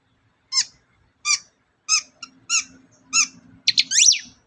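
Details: Long-tailed shrike lure song meant to provoke singing: a series of sharp, harsh squeaky notes about every two-thirds of a second, ending in a quick rising and falling squeal.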